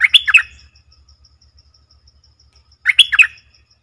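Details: Streak-eared Bulbul song, 20 March 2022: two short bubbly phrases roughly three seconds apart, each a fast run of slurred chirps, with a steady faint tick throughout.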